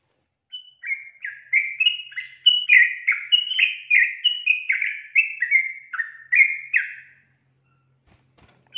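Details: Female Yellow-vented Bulbul calling to set males answering: a lively run of short, bubbly whistled notes, each sliding quickly down and up, delivered in a steady chattering stream for about six seconds on a clean, quiet background.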